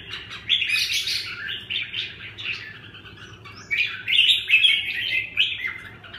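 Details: Red-whiskered bulbul (chào mào) singing a warbled, slurred phrase of mid-high liquid notes, with a steady low hum underneath.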